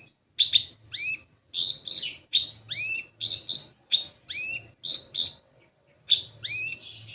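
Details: Olive-backed sunbird (kolibri ninja) lure recording meant to prompt untrained birds to sing: sharp, high chirps and down-curving whistled sweeps repeated in quick bursts with short gaps, over a faint low hum.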